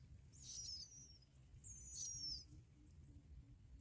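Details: Bar-winged prinia chicks fed black locusts by both parents; two bursts of thin, very high, drawn-out squeaky notes, each lasting about half a second, over a low background rumble.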